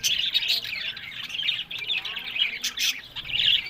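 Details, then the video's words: Budgies kept for breeding in Larkana, Sindh, keeping up a steady stream of high, scratchy twittering and chirps, dense and overlapping throughout, swelling into louder bursts near the start and end. "Buddies Parrot Voice"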